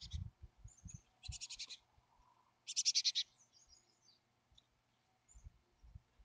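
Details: Chickadee at a wild nest cavity in Montana near Emigrant, July 14, 2022. Two buzzy, rapidly pulsed bursts stand out, along with faint high chips and low scratching and knocking at the nest.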